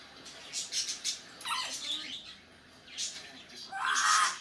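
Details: Captive African grey parrot making funny sounds indoors, May 2019: rapid clicky squawks, a harsh rasping burst, then a brighter squeaky note near the end.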